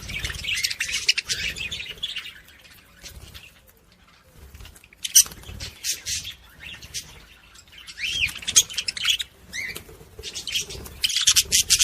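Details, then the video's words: Budgerigar warbling to stimulate other budgies: long stretches of busy, buzzy, scratchy chatter mixed with short whistled notes, broken by a quieter lull in the middle, then rising again loudly. "صوت بادجي لتحفيز طيور البادجي العاشق والمعشوق"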